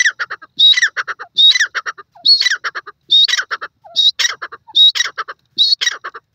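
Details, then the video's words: Francolin (teetar) calling. A harsh, grating phrase is repeated in close rhythm about every 0.8 seconds, each burst clipped and noisy with a brief whistled streak on top. The recording is loud and clear with no other sounds. "teetar bird speeking,irani teetar calling,teetar awaz"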